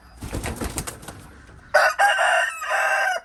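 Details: A rooster crows loudly after a stretch of clattering, scuffling noise: a short sharp note, then a long harsh drawn-out note with rich harmonics, ending abruptly.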